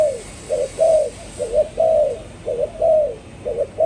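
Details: Spotted dove cooing: a string of about seven mellow, low notes in four seconds, alternating shorter doubled hoots with longer drawn-out coos that sag slightly in pitch, over faint steady hiss.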